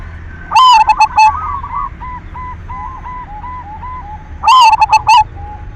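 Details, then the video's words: Actively singing silver zebra dove, used as a lure song to stir other doves into singing: two loud phrases about four seconds apart, each a strong note and rapid clipped pulses, with soft wavering cooing trills between them. "Perkutut silver gacor SUARA PANCINGAN cocok buat merangsang BIRAHI BUNYI"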